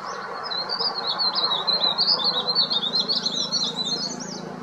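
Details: Himalayan verditer flycatcher warbling loudly from an oak treetop in spring as breeding nears and territories are claimed. A sustained, high, rippling trill of rapid wavering notes pulses steadily throughout, with low rural background noise.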